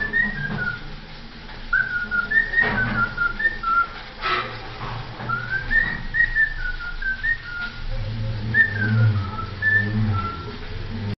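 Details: Cockatiel whistling the Vasco da Gama anthem: a tune of clear whistled phrases, gliding up and down in short, melodic runs with brief pauses, over low background rumble and faint human voices.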